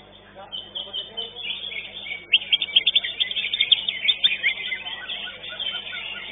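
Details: At a Legok Permai songbird competition, the greater green leafbird that won second place delivers a fast, loud string of high sharp notes in the middle seconds, against a steady wash of other birds singing.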